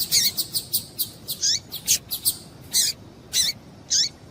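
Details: Female Double-collared seedeater calling to stimulate males: a busy series of high chips and sharp notes with falling tails, quick at first and then slowing to single calls every half second or so.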